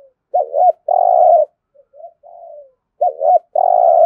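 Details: Spotted dove cooing in competition-style rapid cooing, recorded in Đồng Nai, Vietnam: low hollow coos, a double-hump note followed by a long steady coo, repeated, with softer fading notes between.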